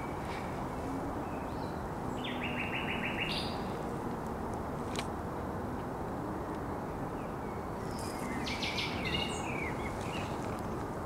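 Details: Common nightingale singing on a headland by the Żerań Canal, 1 May 2021: short bursts of rapid, evenly repeated high notes near the start and again after eight seconds, over a strong, steady low rumble of background noise.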